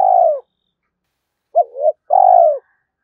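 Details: Lure call of a spotted dove for stimulating other doves. Long, slightly falling burry coos alternate with a shorter wavering hoot, in the sequence long coo, pause, hoot, long coo.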